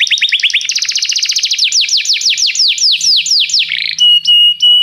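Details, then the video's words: Canary singing as a tutor for training a young canary: rapid repeated notes forming rolling trills that shift through several tours, each a fast series of downward sweeps, ending in clear steady whistles. "canário cantando - professor para o treinamento do seu filho canário"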